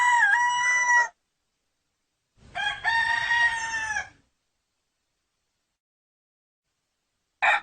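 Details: A rooster crows: one crow ends in the first second, a complete crow of nearly two seconds follows with a bright sustained final note, and a new crow just starts at the close.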